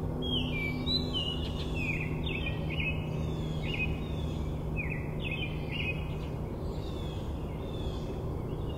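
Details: A Baltimore oriole at South Meadows on 18 June 2024 gives clear, short whistled notes that slur down, about one or two each second, over a steady low rumble of background noise.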